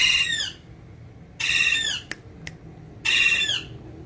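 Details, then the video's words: Green ringneck parrot kept as a pet, by a mirror, lets out three loud harsh screeching squawks, each about half a second long, separated by gaps of over a second with two sharp clicks. "Green Ringneck Parrot In Urdu Hindi Talking With Mirror"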